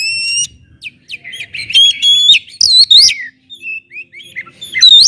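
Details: Oriental magpie-robin, a loud, fast-chattering bird used to provoke other magpie-robins into singing: rapid shrill trills and sweet whistled phrases, upslurred and downslurred notes tumbling in quick, varied bursts.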